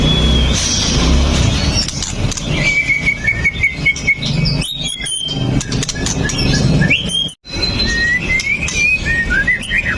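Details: Murai batu, or white-rumped shama, a 'pastol' singer full of mimicry, recorded with a Xiaomi Note 8 Pro to stir other males: thin high whistled phrases and short trills, a brief pause, then more rising notes, over low droning noise.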